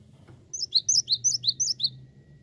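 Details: Cinereous tit (gelatik batu) giving a rapid run of about eight bright, high whistled notes in pairs, steady rhythm, over a constant low background hum.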